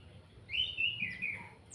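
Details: Orange-headed thrush from Salatiga giving its kretekan call, a lure to provoke other birds into singing: a short warbled, slightly wavering phrase of bright notes that rises then slides down, about one second long, over a low hum.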